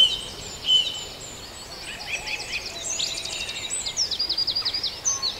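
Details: Birds at dawn in Farndale, a soft mix of high chirps and short trills, followed by a rapid ticking series of evenly repeated notes toward the end.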